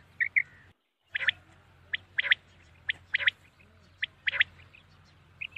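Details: Common quail at night giving crisp triple-note calls, each group a fast stutter of short bright notes, repeated at roughly one-second intervals against a quiet low background.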